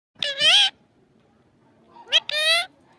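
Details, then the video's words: Talking parrot giving two loud, harmonic-rich cries, each about half a second long and slightly rising, separated by a quiet gap of over a second with a short sharp note just before the second cry; indoor room background. "Parrot talking mithu bolne wala tota"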